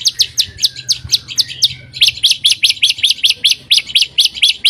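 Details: White-rumped shama song for provoking other shamas: a long series of sharp, evenly spaced high chips, roughly four per second, continuing steadily throughout with a short pause midway.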